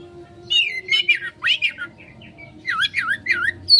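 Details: Oriental magpie-robin in konslet style as a lure: harsh, squawky slurred notes giving way to a quick run of looping, down-and-up whistles, loud and energetic, over a faint low hum.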